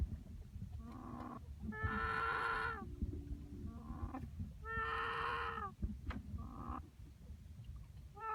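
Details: A young cockerel keeps making an unusual noise after dark: two long, nasal, harmonic calls, with shorter, clipped notes before and between them, over constant low background noise.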